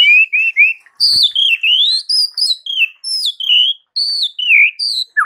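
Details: White-rumped shama singing in the morning so that rival birds answer: high clear whistled notes in continuous phrases, some rising, many swooping down, delivered almost without break.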